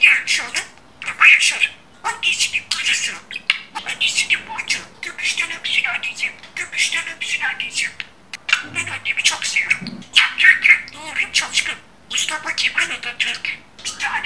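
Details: Budgerigar chattering in imitation of human speech, long streams of buzzy, raspy word-like syllables broken by brief silences.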